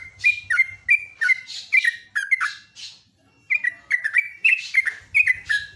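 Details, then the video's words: Trucuk, the Yellow-vented bulbul, singing loudly in the morning: two bursts of bright, bubbling chirps in rapid phrases, separated by a short pause near the middle, with a low hum underneath at the start and end. "KICAUAN TRUCUK PALING MERDU"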